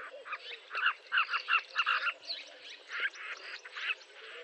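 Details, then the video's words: Southern carmine bee-eaters, including an immature bird, in Kruger National Park on the way back from Pafuri, give short, throaty, rolling notes in quick overlapping bursts, a busy chatter. "Southern Carmine Bee-eater (Merops nubicoides) Bird Call"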